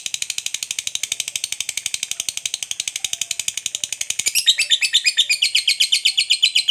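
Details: Fighter lovebird giving a long ngekek, a chatter meant to provoke other lovebirds into answering: a steady, rapid, high-pitched series of harsh notes, about four per second, growing louder and buzzier toward the end.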